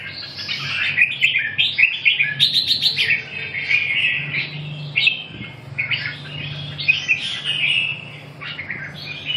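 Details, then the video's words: Red-whiskered bulbul giving a long, busy song: chattering, fluty whistled notes strung together almost without pause, with a brief burst of high clicks, over a low background hum. "Kênh về chim Chào mào"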